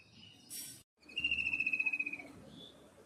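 A Common kingfisher gives a shrill, high, rapid trill lasting about a second, slightly falling in pitch, after a brief noisy burst and a short break.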